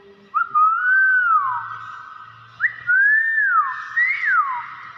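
A hill myna gives three loud, pure whistles, each swooping up then sliding down, spaced about every one and a half seconds, over a faint low hum.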